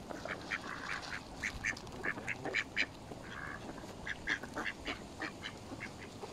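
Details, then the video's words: Feeding mallards mixed with Canada geese on Smith's Pool, Stoke on Trent, UK, on a November 2021 day, recorded by mobile phone. Short rasping quacks repeat irregularly, roughly one every half second, with softer chatter between them. "Mallard Duck and Canadian Geese Feeding Frenzy"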